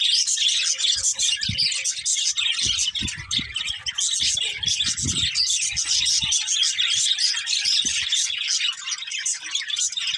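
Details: A steady wall of overlapping shrill chirps and chattering from budgies carries on for ten seconds, with faint low bumps.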